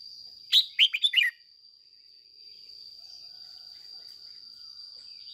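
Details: Decoy red-whiskered bulbul, kept as a caged training bird, gives one brief burst of quick, bright warbled notes in the 'ché' song style. Then quiet, with a constant high-pitched hum.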